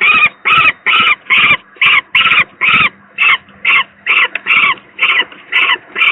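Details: Ailing second young peregrine falcon at the Gdynia PGE power plant, Poland, 18 May 2023, giving about fourteen coarse, nasal screams in a steady run, slightly uneven in spacing, over a constant faint hum.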